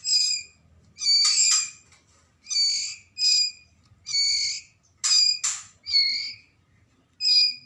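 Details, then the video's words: Young white-rumped shama, a Medan-type fledgling from Lamongan, East Java, giving harsh, raspy hissing calls in bursts of about half a second to a second, with pauses between, some bursts doubled. "Anakan Murai Batu Medan"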